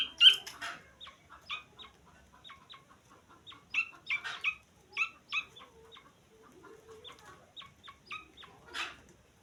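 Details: Grey francolin chick peeping in loose bursts: short bright chirps of varying strength over nine seconds, with a few louder clustered notes at the start and end.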